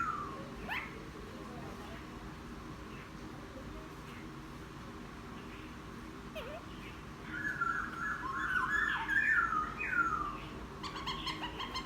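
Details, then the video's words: Wild-caught laughingthrush after ten days in captivity, singing following a bath: mostly quiet at first, then a rapid warbled phrase of trilled whistles, with faint background hum. "Khướu bổi hót gió ( chuyện kích bổi hót cực sung"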